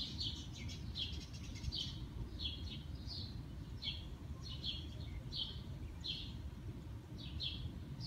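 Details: Spring early-morning birdsong, a series of brief high chirps spaced roughly every half second to second, set against constant low-pitched environmental rumble that may include distant traffic.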